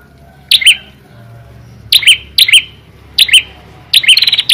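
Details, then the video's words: A prinia gives loud, sharp high chirps in quick doubled bursts about every half second, ending in a rapid trilled run. The background is quiet. "prenjak kepala merah gacor dor"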